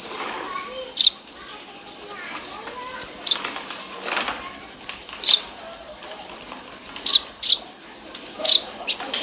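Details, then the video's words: Brown-throated sunbird (konin), lively 'gacor ngobra' singing for training pet birds: very high, rapid buzzy trills lasting about a second, alternating with sharp downslurred chips, repeated several times. "Masteran konin gacor ngobra"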